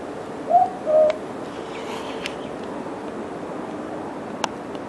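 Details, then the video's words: Southern boobook, or mopoke, giving one clear two-note call near the start, a short higher hoot then a lower sustained one, followed by quiet background hiss and a couple of sharp clicks. "The Sound of a Mopoke"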